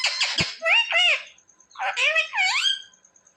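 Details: Pet parrot that talks, reportedly saying mummy and papa; two clusters of harsh-edged, speech-like syllables with arching pitch contours, separated by a short pause.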